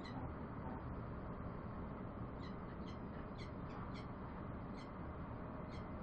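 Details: Bellbird giving short, bright, ringing notes, single and in quick pairs, scattered through the second half over a constant deep rumbling background noise.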